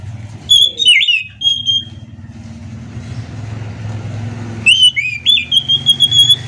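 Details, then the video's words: Scaly thrush (anis macan) in morning ngerol song: two bright whistled phrases with slurred and held notes, separated by a quieter stretch where a low engine-like rumble dominates. "kicauan Anis macan gacor ngerol"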